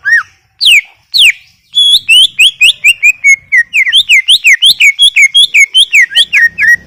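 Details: Greater green leafbird singing vigorously: three sweeping whistles, then a long, fast series of bright, down-slurred notes, about thirty in all, delivered without pause.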